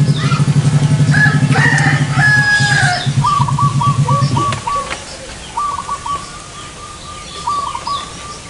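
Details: Zebra dove recorded during trapping with a lure bird in front of a house: a loud engine drone and a rooster-like crow fill the first half, then three rapid stuttering trilled coo phrases follow, several seconds apart.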